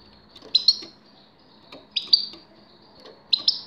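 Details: In this 2019 recording a grey-crowned goldfinch repeats paired bright, slightly buzzy twitters roughly every one and a half seconds, with faint softer ticks between, over a quiet background.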